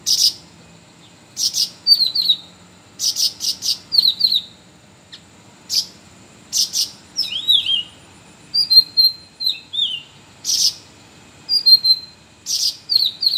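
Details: Varied song of a sooty-headed bulbul, used to train green leafbirds and magpie-robins: rapid clusters of sharp, rasping chirps mixed with clear whistled phrases that dip and rise, delivered steadily over thirteen seconds with no other sounds.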